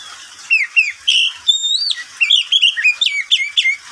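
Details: Caged oriental magpie-robin singing in the middle of the day: a rich, varied run of loud whistled notes, sliding and looping phrases, some rising, some falling, delivered in quick bursts over a quiet background.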